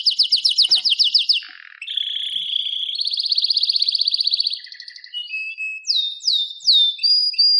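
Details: Canary song opening with fast repeated sharp notes, moving into a long rolling trill, then a few dropping slurred whistles with short high notes.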